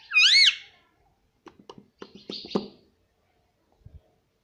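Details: Pet Indian ringneck parrot, said to talk nonstop and say "mummy", opens with one loud, arched, harmonic vocalization, followed by soft clicking, murmured syllables and faint taps.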